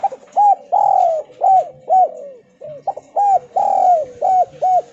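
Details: Javanese spotted dove in Kuk 2 style, used to make other doves respond: steady run of loud, rounded coos, two stretched into longer falling notes, with only brief gaps.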